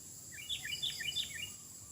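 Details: Sooty-headed bulbul singing in the wild: a quick run of short, bright, slurred whistled notes, rising and falling, against a constant high insect drone and soft background noise.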